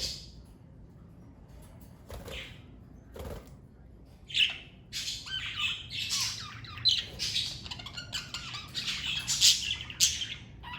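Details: Pet parakeet family chattering, sparse squawks at first then a busy stretch of rapid scratchy chirps and warbles, some wing flutter.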